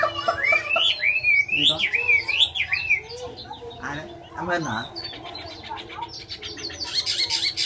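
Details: Chinese hwamei singing: looping, wavering whistled phrases rising and falling, then lower slurred notes and a burst of fast high chatter at the end, with a man speaking and background hum.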